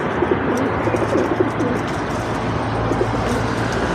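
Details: Balcony bird table with feral pigeons feeding and squabbling, Insta360 Go 2 recording: brief low coo fragments in the first second and near the third, partly buried in steady broadband noise and a low hum.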